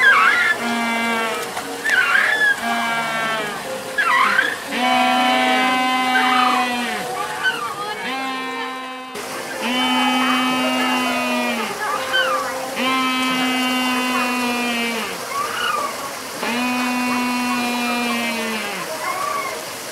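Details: Humboldt penguins at Minamichita Beachland give loud, nasal, donkey-like brays, each drawn-out note repeated in a steady series.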